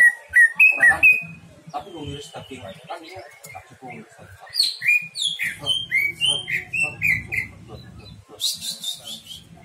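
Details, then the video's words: Greater green leafbird performing a lure song full of imitations: loud whistles, then a varied string of sharp chirps and slurred notes about twice a second, ending in a dense buzzy rattle. "pancingan c,ijo bongkar isian"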